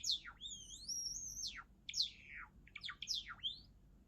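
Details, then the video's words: Java sparrow song: high, sharply falling sweeps alternate with long, smooth whistled notes that rise and wander near the top of its range, then a burst of quick chipping notes falling away. "文鳥のさえずり Java sparrow"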